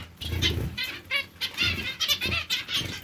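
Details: Several zebra finches of a colony trade clipped, tinny, harmonic calls in a steady chatter, punctuated by low soft fluttering of wings.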